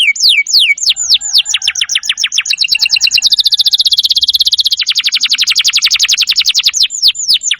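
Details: Canary singing in a recording meant to teach other cage birds: swooping descending notes give way to a long, very fast buzzy high trill, then to spaced sweeping phrases again.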